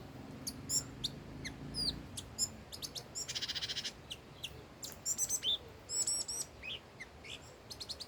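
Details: Singing old wild red-whiskered bulbul: varied chirped phrases mixed with a fast buzzy rattle lasting about a second, then more sharp whistled notes and quick chirp pairs, with a faint low hum early on.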